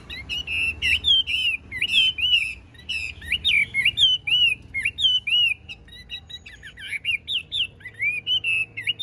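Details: A tame caged Chinese hwamei, a 'bánh tẻ' bird with a broad fanned tail, sings a lively, varied stream of high whistles and twisting phrases, broken by brief pauses, with almost no other sound.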